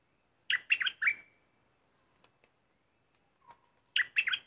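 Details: Decoy bulbul singing as an uninvited intruder arrives: two bursts of three to four rich, slurred whistled notes, the last drawn into a thin level tail, separated by about three seconds of near silence with faint ticks.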